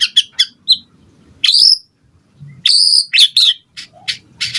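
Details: White-rumped shama singing to provoke other birds into answering: sharp, high clipped notes and loud ringing whistles in short bursts separated by pauses, with soft low rustling underneath.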